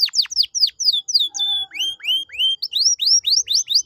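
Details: Canary singing as a lure to get a reluctant bird to sing: quick sharp downslurred whistles, a brief sustained tone, then a steady run of bright rising whistled notes repeated about four per second.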